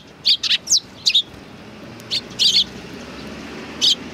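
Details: Sparrows greeting at a Tenmangu shrine in July 2020: a quick flurry of high chirps, then a few spaced double notes and a pause before a final chirp.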